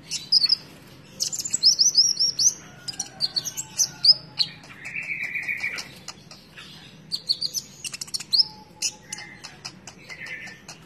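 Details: Konin in full, vigorous song ('gacor'), mixing quick high chirps, whistled slurs and a sustained buzzy mid-pitched note, phrases tumbling out in clusters separated by short pauses; faint low background hum.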